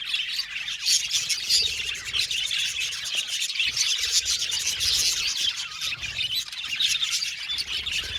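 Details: Budgerigar colony in an aviary chirping contentedly: constant overlapping high twitters and warbles from a crowd of birds, with no pauses.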